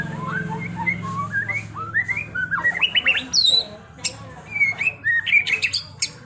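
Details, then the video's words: White-rumped shama singing a trontolan-style rolling song: a varied run of clear whistled notes sliding up and down, with rapid chattering phrases and sharp high notes in the second half, over a low steady hum. "Masteran Murai Batu TRONTOLAN NGEROLLLLLLL Edan!! GACOR X Roll"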